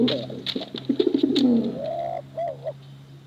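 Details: Male and female contest pigeons: low throaty coos with clicking taps, fading into a long level tonal note and a short wavering note, over a steady low hum.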